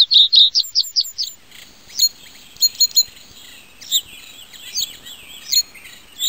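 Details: Common reed bunting opening with a quick series of about seven sharp, high, ringing notes. Sparse, thin single chips and short twittered notes follow, spaced a second or so apart, over quiet surroundings.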